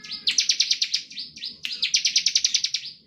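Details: Bar-winged prinia giving standard ngebren song, used to make other prinias sing. Two upslurred notes each lead into a quick run of about ten sharp repeated notes.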